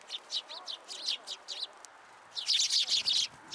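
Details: Sparrows coming for food at a Tenmangu shrine on 27 December 2022: rapid series of short, bright chirps repeated several times a second, with a louder, denser burst of overlapping chirping near the end.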